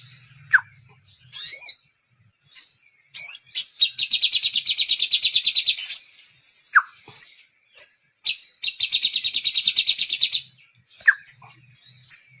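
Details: Two long, dense high trills dominate this sunbird song, each lasting around two seconds. Scattered sharp chips and downslurred notes come between them, in a song filled with kapas tembak phrasing, over a faint low hum.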